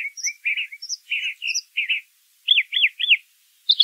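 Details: Singing brown thrasher: buzzy double notes followed by three clear repeated slurred whistles, then a higher note, crisp phrases with short gaps.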